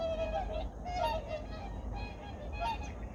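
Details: Honking, slightly wavering calls from a mixed gathering of migratory birds, early morning at Junam Reservoir in Changwon, 2019; several birds overlap, with a deep steady rumble beneath.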